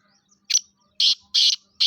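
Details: Black francolin, locally kala teetar, calling in the jungle: four harsh, rasping, buzzy bursts within two seconds, the first short, the rest broad and grating, spaced roughly a third of a second apart, over an otherwise quiet background.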